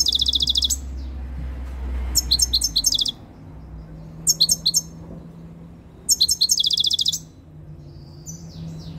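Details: European goldfinch singing at close range, a very tame bird coming into breeding condition. It gives short bursts of high, rapid, tinkling twitters and trills about every two seconds, separated by brief silences, and ends with a softer phrase.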